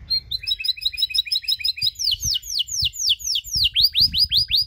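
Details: Canary in cengkok singing style, used to stir up other canaries: a fast double-note trill for two seconds, then loud rising whistled sweeps repeated about twice per second.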